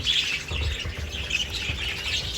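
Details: In an aviary, Budgerigar chicks in a nesting box give a steady, raspy chittering, begging to be fed; the father feeds the mother, who then feeds the chicks.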